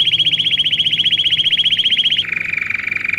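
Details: Canary song meant as a training model for young birds. A loud, rapid high trill runs for two seconds, then switches to a lower, softer rolling trill.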